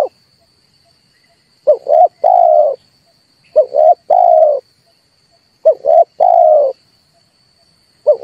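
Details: Red turtle dove cooing used to lure and trap birds: low rough phrases of two clipped coos and one sustained coo, coming roughly every two seconds after a quiet start, with a steady faint high-pitched whine.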